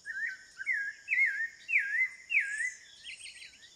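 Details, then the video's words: Spectacled thrush singing wild in Amazon rainforest at Serra do Navio, Amapá, Brazil: a run of loud, slurred, warbling whistled phrases, each dipping and rising, about one every half second, over a steady high insect hum. "O canto do sabiá Caraxué | The song of the Spectacled Thrush (Turdus nudigenis)"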